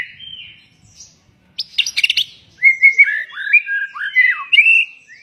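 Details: White-rumped shama in song: a soft whistled opening, a brief harsh rattling burst, then a lively string of clear slurred whistles rising and falling in quick succession.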